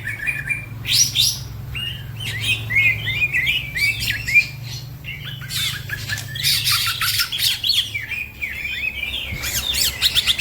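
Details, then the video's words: A green leafbird (cucak ijo) pours out a fast, varied stream of high chattering and warbled phrases, and other caged birds join in over a low steady hum. "The green cucak bird makes noise, other birds also become gacor"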